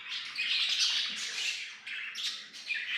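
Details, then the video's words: Tame budgerigars singing and playing, a dense buzzy warbling chatter broken by harsh squawks, with sharp chirps near the end and no other sounds clear. "Budgies Singing Playing and Talking"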